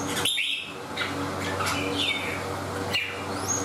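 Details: Red-whiskered bulbul in 'xoè ôm cóng' singing, gripping the cage: a few sharp whistled notes, some sliding up or down, spaced roughly half a second apart above a constant low background hum.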